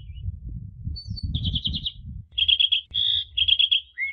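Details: Asian pied starling song used as a master for training young birds: a faint whistle, then rapid trilled bursts of about five notes and short buzzy chatters, ending in a clear whistle, over a low background rumble.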